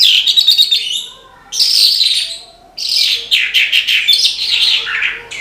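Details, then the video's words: Australasian bush lark, locally branjangan, singing energetically: a stuttering run of high chirps, a dense buzzy phrase, a short silence, then a long rich sequence of rapid twitters and slurred notes. "BRANJANGAN GACOR TIADA LAWAN"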